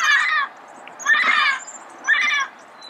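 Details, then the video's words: Red-crowned amazon recorded early morning in Pasadena, giving three loud, rich, nasal screeches of about half a second each, spaced roughly one second apart, with faint high bird chirps in between. "Red-crowned Amazon Bird Sound, Bird Song, Bird Call"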